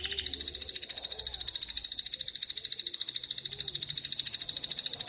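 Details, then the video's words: Singing male canary, whose song is meant to train chicks and stimulate hens to mate, holds one rapid, very regular high trill of quick pulses throughout, loud and clean. "تغريد طائر كناري خرافي لتعليم الفراخ على الغناء والاناث على التزاوج، Canary singing"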